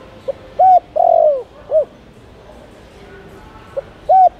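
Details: Spotted dove cooing to entice wild doves: a quiet lead-in note, a short hoot, a long wavering downward croo and a closing coo, then a pause before the next phrase begins.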